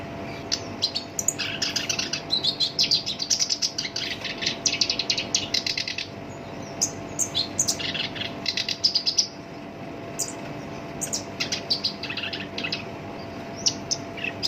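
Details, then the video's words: Caged black-browed reed warbler in full, rough-voiced song, used as a lure to set other songbirds singing: dense bursts of harsh, buzzy chattering and high chirps, then a pause and scattered sharp notes, over a faint steady hum. "SINCHAN (KERAK BASI ALIS HITAM) GACOR POL, SUARA KASAR COCOK BUAT PANCINGAN GACOR LANGSUNG NYAMBER"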